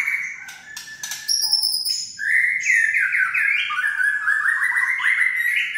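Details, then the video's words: Kretekan of a white-rumped shama, used to rouse other shamas to sing: opening clicks and high thin notes, then a long run of rapid, loud, slurred whistles stepping gradually upward. "Kretekan murai batu untuk memancing emosi murai batu agar gacor"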